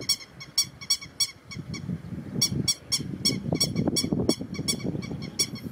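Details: Grey-headed lapwing recorded on 6 July 2019, giving sharp, ringing, harmonic-rich notes in quick bursts of about three per second, with a pause mid-clip, over a low rumbling background that grows louder in the second half.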